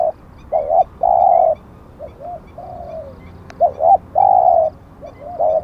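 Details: Captive spotted dove used for luring wild doves: low doubled coos, long steady hoots and a quiet falling slur, with faint high chirps from another bird and a single click.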